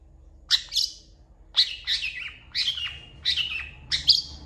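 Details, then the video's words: Long-tailed shrike song, said to include cat and chicken imitations, given as five harsh, squawky double-noted phrases spaced about a second apart. "MASTERAN CENDET GACOR PALING DICARI UNTUK MASTERING CENDET JUARA"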